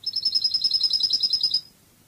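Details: Goldfinch song in the Spanish Cádiz style. A rapid, steady, high-pitched twittering trill lasts about one and a half seconds, then stops abruptly into quiet.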